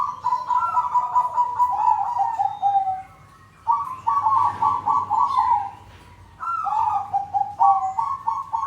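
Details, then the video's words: Group of caged zebra doves cooing together as a lure for birds not yet singing; long rolling, stuttering coo phrases, slightly falling, repeated with brief pauses, overlapping voices. "Pancingan buat burung perkutut macet atau belom bunyi,ini ombyokan aja sudah bunyi"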